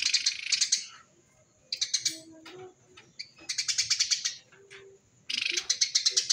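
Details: Eurasian tree sparrow (Passer montanus) gives dense bursts of harsh, rapid chirps, each about a second long, coming every two seconds or so, with quiet gaps; a call used to lure in wild sparrows.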